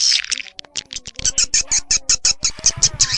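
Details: Swiftlet lure sound for attracting swiftlets. A high chattering burst gives way to a steady series of short, bright chirps, nearly three per second, over faint low tones.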